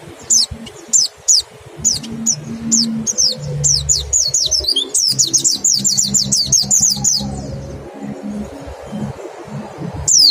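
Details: Mountain white-eye 'nembak' song used as a 'ngecal' lure to make birds sing quickly: steady series of high, falling whistles speeding into a dense run, over a faint low hum.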